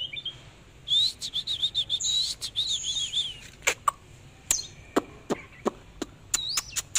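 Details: Oriental magpie-robin dancing and singing: a bright whistled phrase of quick wavering notes for about two seconds, then a string of sharp, snapping clicks with one short rising whistle near the end.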